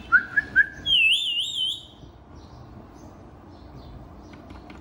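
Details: Ringneck parrot as a household pet, dancing and talking, gives three quick clear chirps followed by a long, high, wavering whistle that trails off, then near silence.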